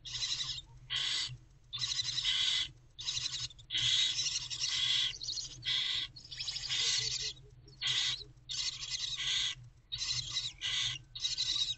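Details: Wild barn owl nestlings in a nest box in the night of 11 February 2024 while their mother takes a break keep up a rapid series of harsh hisses, short and long, with many overlapping voices.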